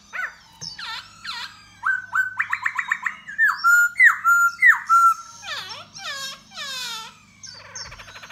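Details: Singing and dancing to lure a female, a khướu da bò laughingthrush delivers a long varied song: scattered slurs, a quick chatter, looping rising whistles, then harsher rasping phrases and a fading buzzy ending.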